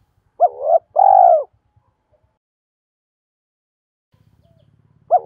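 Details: Spotted dove decoy bird calling to lure wild doves and challenge rivals: a short low coo followed by a longer, fuller, slightly arched coo, then silence, with another coo beginning at the end.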